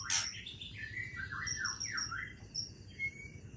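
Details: White-rumped shama of the Aceh type singing at midnight: a faint run of slurred, swooping whistles dipping and rising, with a sharp opening note and thin high tones near the end, over a low steady hum.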